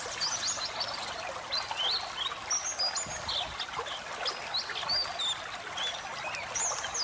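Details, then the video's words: White-eye singing over the sound of flowing water, meant to relax pet birds: scattered high, sharp chirps and brief squeaky notes with gaps between them. "masteran burung pleci gacor ngeriwik ngeplong"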